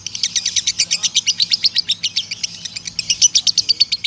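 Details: Male lovebird performing the long ngekek trill in a tired tone: an unbroken string of shrill, evenly pulsed chattering notes, roughly six a second, steady in pitch throughout.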